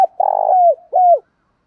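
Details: Spotted dove cooing: a low, rolling, purring coo followed by a single clear coo that slides downward, ending in silence.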